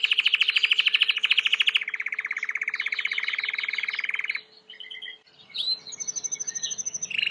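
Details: White Timbrado canary in clean training song: long low rolled trill, shifting to a slightly lower rattling roll, a brief near-pause, then varied chirps and a renewed quick trill.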